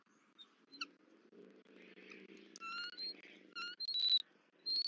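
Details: At a nest in Southwest Florida on 31 December 2023, a bald eagle female returns and screeches at her mate as he feeds their chick, filmed by a live camera. Quiet rustling first, then bursts of shrill, whistled notes and buzzy, harmonic calls.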